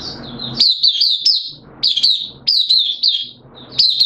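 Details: White-eye kept as a hobby songbird, recorded 8 September 2022 in slightly reduced form, delivering short high twittering phrases of quick up-and-down notes, each burst under a second with brief pauses, over soft low room noise.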